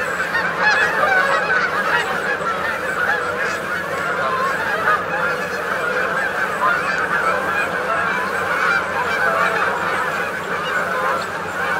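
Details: Many Canada geese calling while feeding as a flock in Maryland, a busy, even chorus of honks and clucks that never stops, with crickets and grasshoppers faintly behind.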